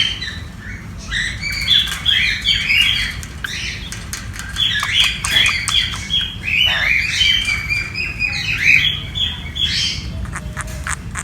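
A sun conure chatters with harsh squawks and squeaky chirps in quick, uneven bursts.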